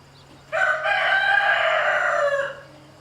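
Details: A rooster bothering a hen and her chicks lets out one long crow, bright and harsh, held about two seconds with a slight sag in pitch near the end; low hum in the background.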